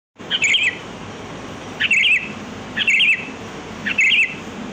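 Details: Sooty-headed bulbul, kutilang, in the wild, lure song used to attract birds: short bubbly warbled phrases repeated about every second, each a quick looping whistle with a bright high tip, over steady faint background hiss.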